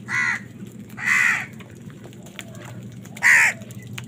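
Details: Three strong, grating caws as crows fight for food, the last one loudest, separated by a quiet stretch over a faint low hum.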